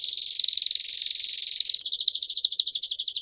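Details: Timbrado canary song used for training young birds: a continuous rolling high trill that shifts midway into a faster, higher, clearly pulsed rattle-like trill, with no other sounds.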